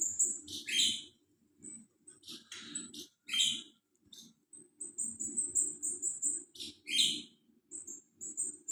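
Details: Golden-bellied gerygone song: sharp high chirps and short buzzy notes alternating with thin sustained whistled phrases near the top of the range, in uneven bursts with brief gaps, over a low muffled background rumble.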